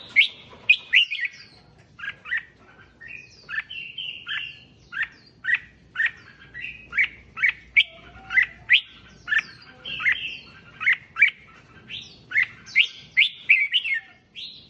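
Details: Red-whiskered bulbul singing to excite other bulbuls: a steady, fast run of loud chirping whistles, roughly two notes per second, each a quick rising-falling slur, continuing without break.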